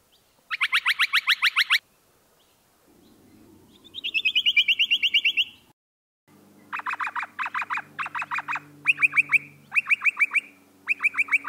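Noisy miner giving harsh, rapid chattering bursts of repeated sharp notes, about three per second, in several separate series with brief pauses; faint background hum.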